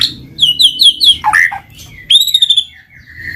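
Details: Singing white-rumped shama, recorded as a lure to trigger silent shamas: a run of repeated bright whistled notes, a quick falling dip, then a long clear high whistle fading into softer notes over low hum.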